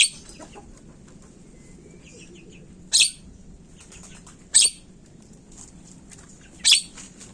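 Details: Javan myna as a calling lure: three strong, buzzy screeches at irregular gaps, with a brief faint whistle and soft scratchy notes in between, over low hiss.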